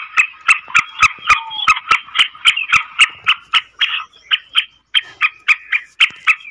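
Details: Female black francolin (kali madi, Sindhi teetar) calling to excite males, its voice said to make even wild francolins call: a fast run of harsh, clipped notes, about four each second, steady for several seconds with brief gaps near the end.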